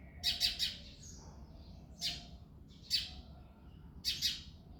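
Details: Male house sparrow chirping on an early February morning; a quick triple chirp opens, followed by single sharp chirps about once a second, with softer thin notes from other birds in between.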